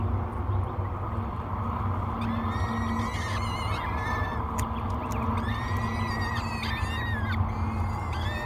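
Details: Three peregrine falcon chicks beg during a morning feeding at Great Spirit Bluff, 24 May 2022: repeated, wavering, whining squeals in clustered bursts, sharp ticks in between, over a steady low background hum.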